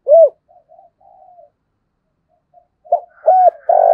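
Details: Spotted dove used as a lure, giọng thổ voice: one loud arched coo, then soft low murmurs and a pause, followed by a new phrase starting with short notes and a sustained buzzy coo.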